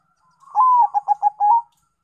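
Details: One clear phrase of zebra dove lure song from a Bangkok-local crossbred bird: a long, smooth, slightly falling coo, three short punchy notes, then a sustained higher note to finish. Quiet background.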